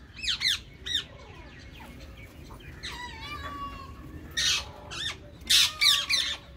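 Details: Indian ringneck parakeets in a green colony: a few downward squawks, a drawn-out lower call, then loud grating bursts with overlapping chatter.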